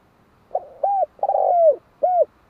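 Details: Spotted dove calling once with its low four-note coo: gentle opening, rounded hollow coo, long rough falling coo, then a single short coo at the end, in a quiet setting.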